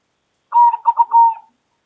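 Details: Loud call of a local zebra dove: a single cooing phrase lasting about a second, starting with a clear tone, then two quick hiccupping notes and a long sustained coo that drops slightly at the end, on a silent background.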